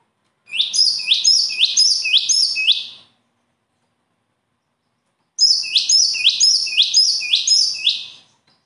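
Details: Two bursts of loud bird song, each with about five repeated phrases of a high note and a rising, buzzy sweep, sung at an even pace, with silence between bursts.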